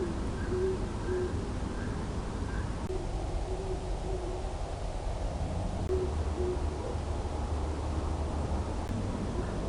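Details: Great Horned Owl at Long Swamp Sanctuary, picked up by an acoustic monitor, giving deep, soft hoots in short runs of two to four notes, repeated every few seconds over a steady low rumble.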